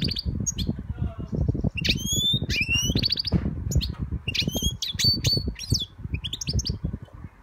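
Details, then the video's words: Young European goldfinch, kept as a pet, singing a lively twittering song of bright chirps, rising whistled notes and buzzy, harmonic-rich phrases in quick bursts, over a steady low thumping rumble throughout. "My young European goldfinch singing"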